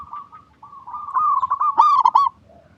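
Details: Zebra dove, local perkutut type, recorded to coax silent doves into song; a soft cooing trill swells into one loud, quick burst of rolling, bubbly notes lasting about a second, then fades.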